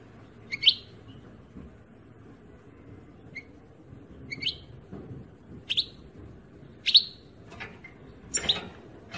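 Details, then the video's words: European goldfinch singing in spaced bursts: crisp, high, tinkling notes about once a second, each a quick bright sweep, against a faint background rumble. "Chant chardonnerent"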